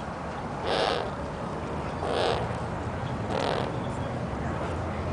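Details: A Harris's hawk at Magnetic Hill Zoo, having flown down to visitors and playing, gives three harsh, rasping screeches, each under half a second and spaced over a second apart, against a low background rumble.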